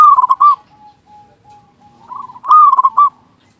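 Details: Loud local zebra dove cooing as a lure for quiet doves: a rapid clipped cooing phrase, a drawn-out series of soft even purring notes, then another bright stuttering cooing burst.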